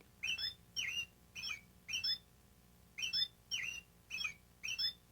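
American robin singing a run of clear, whistled caroling phrases, each short and slurred up and down, about eight in five seconds, over a faint low hum.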